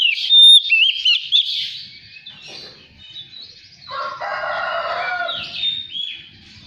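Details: Oriental magpie-robin song meant to lure untrained birds into full song and tail display: bright whistled slurs and trills, broken midway by a harsher, lower, crowing-like burst before the whistles return.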